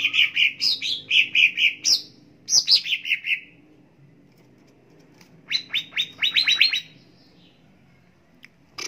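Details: Greater green leafbird song used to trigger singing in kept birds. Bouncing double chirps lead into falling slurred notes, then a pause and a fast accelerating burst of high, clipped notes.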